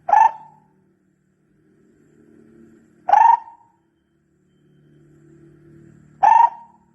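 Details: Barbet used as a decoy call: three single short, hollow notes about three seconds apart, with a faint low hum and murmur in the background between them.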